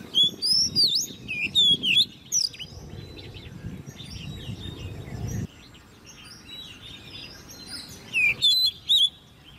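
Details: Oriental magpie-robin, hand-reared and caged at ten months old, singing in competition: clusters of bright, swooping whistles open the passage, a quieter stretch of faint notes follows, then another loud burst of whistled phrases near the end.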